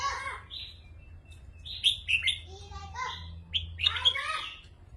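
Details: Two or more caged red-whiskered bulbuls in Thailand duel with rik song; rich fluting phrases with sharp upslurred whistles tumble quickly together, backed by a steady low drone.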